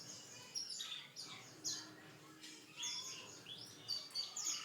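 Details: Canary singing a song the owner calls unique: scattered high chirps and short sweeping notes, loose and irregular, with quiet gaps and soft background noise.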